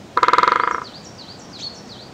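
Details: European great spotted woodpecker feeding its newly fledged young: a short, ringing drum roll of roughly fifteen quick blows that weakens as it ends, followed by faint, thin, swooping calls from other birds.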